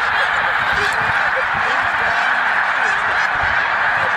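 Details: Overlapping yelps from a vast flock of migrating snow geese at Middle Creek, Pennsylvania, merge into a continuous clamour, with some nearer honks standing out faintly.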